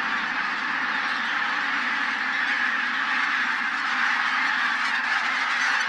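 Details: Over a thousand wild geese, bean and white-fronted geese from Siberian breeding grounds, wintering in Teichland Linum, Brandenburg, Germany, before sunrise during take-off. A dense, unbroken roar of overlapping honks fills the whole stretch.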